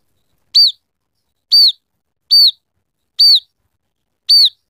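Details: Scaly-breasted munia calling in a mimicry-filled training song: five loud, clear, down-slurred chirps, each arched high and falling, spaced about one second apart against silence.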